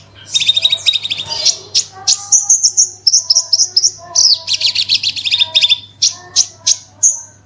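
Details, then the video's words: Horsfield's bush lark, a kept bird, in 'gacor super roll tembak' lure song for coaxing other birds to sing: dense rattling trills and fast whistled phrases, nearly continuous, over a faint low hum. "BRANJANGAN ANDA KURANG GACOR PANCING SUARA INI PASTI LANGSUNG IKUT BERKICAU"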